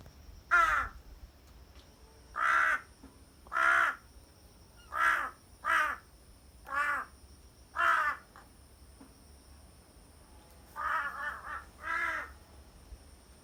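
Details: Crow on Ishigaki Island, Japan, calling 'aha, ahau' over and over: about ten hoarse, laugh-like notes spaced one to two seconds apart, ending with a quick double call. A faint steady hum runs underneath.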